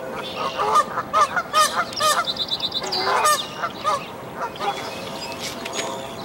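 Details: At a dead-tree nest on Dufferin Islands, a Canada goose with five goslings about 1–2 days old gives nasal, rough honks in quick uneven bursts, about two a second, with thin high peeps mixed in, as the goslings jump down to follow her.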